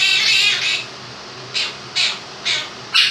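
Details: Two-year-old male pet Quaker parrot singing his version of 'If You're Happy and You Know It' indoors. A long bright squawky phrase is followed by four short raspy notes spaced about half a second apart, over the steady hum of a fan.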